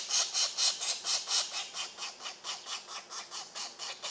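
A Pileated Woodpecker gives a fast run of harsh, raspy notes, about four a second, loud at first and then fading over the last half.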